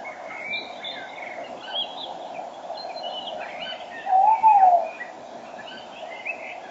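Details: Tawny owl in the spring dawn chorus, 5 March 2013 at 06:34, a male near the microphone and a female farther off. A single short rising-then-falling hoot amid plenty of chirping and whistling from other birds.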